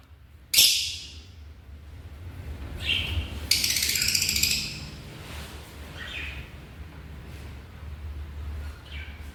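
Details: African lovebird giving a sharp opening squawk, then scattered buzzy chirps and a noisy screech midway, fading to softer calls over low hum.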